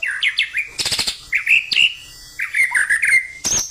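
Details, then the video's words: A caged white-rumped shama's fighting-style song, fierce and energetic: quick whistled slurs mixed with harsh broadband bursts, then clear sustained whistles. A faint steady hum behind. "Murai Batu, gaya tarung suara pedes ngotot dan enerjik"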